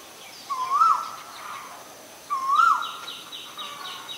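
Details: Male Asian koel giving two clear whistled calls that each rise and then dip, about two seconds apart, over a quiet background. A series of faint, higher descending notes from another bird follows near the end.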